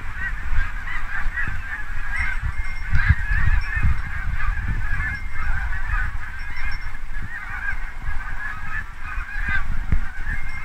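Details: Canada geese and Snow geese massed together before autumn migration in Quebec, October 2022, with nights turning to frost; a continuous chorus of many honking birds, calls overlapping steadily, with some low background rumble.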